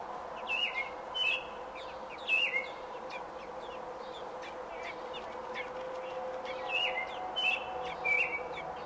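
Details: Robin nesting, day 28, June 5, 2018: sharp high chirps and slurred whistles in an early burst, a quiet middle stretch, then another cluster of chirps, with background hum.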